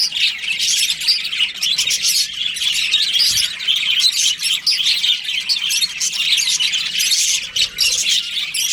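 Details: Several budgerigars in breeding season, chattering together in a colony: rapid squeaky twitters and short chirps pouring out nonstop, rising and falling slightly in loudness, with a faint low thump midway.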